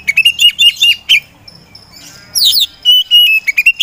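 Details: Oriental magpie-robin, poci type, a favoured contest songbird sung to provoke others, gives a fast stuttering string of chirps, a pause, then buzzy descending notes and steady whistled tones.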